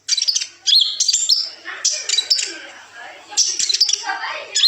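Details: High chattering kolibri ninja song with twists, for masteran training of young birds: shrill chirp bursts mixed with lower scratchy twitters, in clusters with brief gaps.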